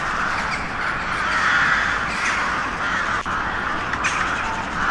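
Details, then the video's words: A crowd of crows cawing at once, a thick raspy chorus with a short sharp click near the middle. "Sunete de ciori. Sunete de pasare cioara."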